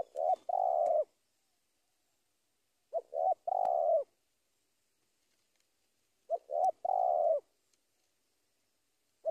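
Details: Spotted dove, known locally as tekukur, calling to draw out a rival: a three-part coo of two short notes and a longer falling coo, repeated about every three seconds against a quiet background.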